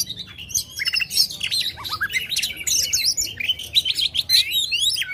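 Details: Loud Oriental magpie-robin song meant to rouse competition birds: quick high chirps and twisting whistles, a few descending notes near the middle, continuous varied phrasing over a low steady hum.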